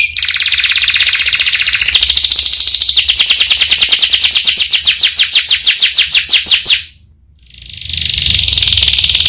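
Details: Canary delivering a long roll: a continuous, very rapid high trill for nearly seven seconds, shifting tempo midway, a brief pause, then the trilling starts again.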